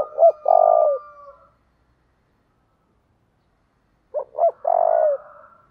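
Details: Spotted dove cooing, recorded to stimulate and train decoy birds in Vietnam. Two low coo phrases about four seconds apart, each with short clipped notes then a longer drawn-out coo. A faint steady tone runs underneath.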